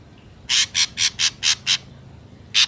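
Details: Ashy drongo in nature, a song suited for luring: six loud, harsh, scratchy rasps delivered in quick, steady succession, a short pause, then one more rasp.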